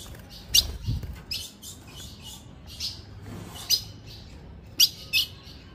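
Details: Female ultramarine grosbeak giving calls meant to excite males: short, high, sharp chips at irregular intervals, some in close pairs, over steady background hiss.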